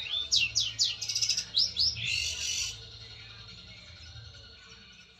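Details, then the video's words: Long-tailed shrike, a fighter bird, calling a rival with its special filled song, meant to draw a reply: fast, scratchy upslurred notes and a harsh buzzy burst, then quiet with only a low hum. "Suara cendet Fighter memanggil lawan"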